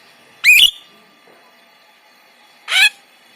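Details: Kept white-shouldered starling (Jalak Rio Rio) singing as a master song for other songbirds: two loud, sharply upslurred whistled notes over two seconds apart, separated by quiet.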